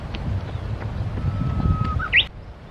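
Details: Japanese bush warbler singing by the Tsurumi River: a long, steady, low whistle swells, then jumps into a quick, bright, rising flourish near the end. Low wind and distant rumble run underneath.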